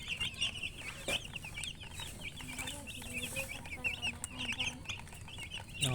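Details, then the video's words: Young chicks cheeping constantly, many overlapping bright, short peeps, some slurred upward, packed closely together over a faint low hum. "Baby "Chicks Chirping" Sound"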